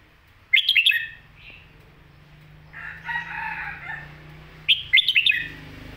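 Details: Red-whiskered bulbul singing the favoured 'Phat Kuay Tiew' master song, two rapid bursts of lilting whistles several seconds apart. A longer, rougher call from another bird sounds in between, over a steady low hum.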